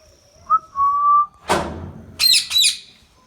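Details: Pet Indian ringneck parakeet: a clean whistled tone held about a second, a broad noisy burst, then two sharp, harsh screeching squawks in quick succession.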